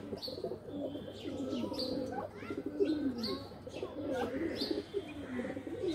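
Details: Pigeons in a loft, playing together: soft low cooing murmurs overlap throughout, with occasional brief higher chirps and rustling among the flock.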